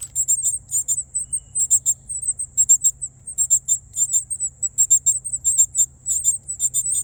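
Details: Hungry Northern cardinal nestlings in a nest in a yard tree in North Carolina, recorded by cellphone held up close: thin, very high chips in quick clustered bursts, several per second, with a faint low hum beneath.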